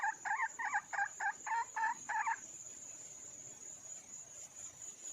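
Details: Female red junglefowl calling for a male: seven quick, clucking double-toned notes in just over two seconds, then only a steady high-pitched insect whine.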